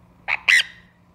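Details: Pet sun conure biting its owner's hair gives two short, harsh squawks, the second louder and rasping, in an otherwise quiet room.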